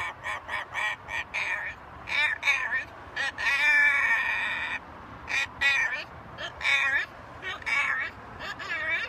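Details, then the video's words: Pet macaw parrot talking: a run of short, harsh, speech-like bursts, several per second, with a longer drawn-out, wavering phrase in the middle, all over a steady low background hum. "Macaw talking"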